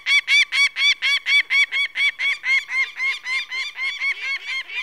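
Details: Peregrine falcon calling loudly and close, a run of about seventeen grating, nasal 'kak' notes at a steady rapid pace, each coarse and rasping, the later notes slightly weaker.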